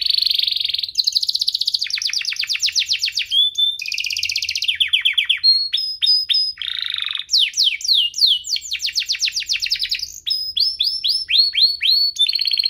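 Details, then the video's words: Long canary song passage from a duo compilation played to lure canaries into singing and to tutor young ones: varied buzzy rolls, rapid trills of descending slurs and sweeping whistles, continuous and loud throughout. "Kompilasi DUO GACOR, cocok untuk pancingan kenari biar gacor, masteran kenari paud"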